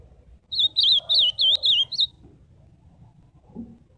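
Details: Azulão, the ultramarine grosbeak, delivers a clear warbled phrase of about five looping, wavering whistles strung together over one and a half seconds, with faint low room noise around it.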